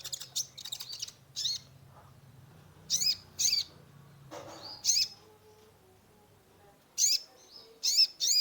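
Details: Caged sunbird, the kolibri ninja, giving a lure song for a stressed bird: short bursts of high buzzy chips, often in pairs, spaced by gaps of a second or more, over a faint low hum.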